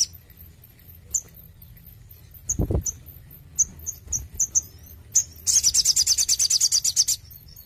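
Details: Crimson sunbird raised under intensive care gives scattered high ticks that quicken into a quick sequence. A dense, buzzy, very high trill follows. A low thump is heard near the start.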